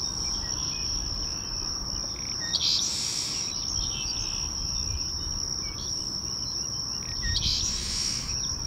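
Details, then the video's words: Seaside Sparrow singing at Headquarters Island Causeway, Charleston County, South Carolina, 28 May 2016: short, harsh buzzy songs about five seconds apart over a steady high insect drone. "Seaside Sparrow Singing"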